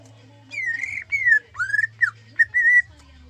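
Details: Greater green leafbird of gayo type, kept as a songbird, giving zebra dove-style imitation: few clear, smooth whistled notes, one long falling, one rising, then short slurs and a steady held whistle, over a low background hum.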